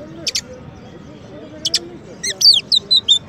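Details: Oriental magpie-robin (kacer), a champion bird whose song serves as a master for training white-rumped shamas: scattered sharp clicks, then a burst of bright descending whistles and chirps near the end over faint background murmur.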